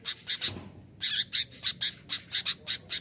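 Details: Sooty-headed bulbul in loud, aggressive song, used to provoke and lure wild bulbuls, gives harsh, scratchy notes in quick bursts, about four each second, high-pitched with a brief pause early on.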